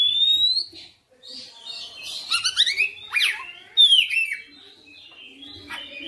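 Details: Oriental magpie-robin (kacer) in fierce, active song through its full material: a clear rising whistle, then a tangle of fast slurred notes and steep swoops, followed by a quieter warbling stretch.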